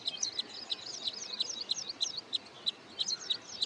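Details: Hoskote Lake, Karnataka, outside Bangalore: a wood sandpiper close to return migration calls in rapid high single notes, somewhat irregular, among a busy wash of thin high chirps.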